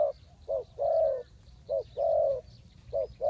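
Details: Spotted dove used for trapping wild birds, giving mellow low coos: a short note then a long, steady coo, repeated about every second, with faint high chirps behind.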